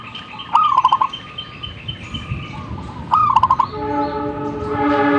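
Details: Zebra dove delivering two rolling coo phrases, each a rising note followed by a rapid stuttered series, over steady background noise; near the end a sustained layered tonal hum swells and continues to the close.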